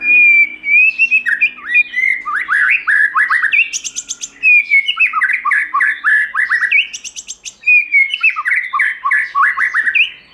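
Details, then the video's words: Forest-voice song of a white-rumped shama, used to train and excite birds: loud whistled phrases of rapid descending slurs, each ending in a buzzy high trill, repeated about every three seconds. "Chòe Lửa Hót Giọng Rừng"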